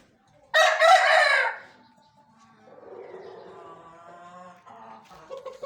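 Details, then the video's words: An Aseel rooster gives a loud, harsh, ragged crow lasting about a second, followed by softer, drawn-out crowing from other roosters in the background. "Aseel and Roosters crowing"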